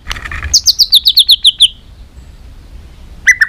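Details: White-rumped shama fighting song: a burst of about ten rapid high descending whistled notes, then silence, then a short lower warbled phrase.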